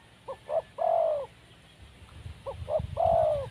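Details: Wild spotted dove calling twice, each phrase two short hollow notes followed by a sustained, slightly descending coo; faint rustling between phrases.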